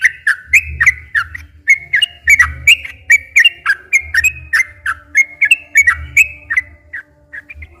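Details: Lure recording of a Sooty-headed bulbul for stimulating caged bulbuls: lively run of clear whistled notes alternating low and high, given in quick succession and fading to a few softer notes at the end.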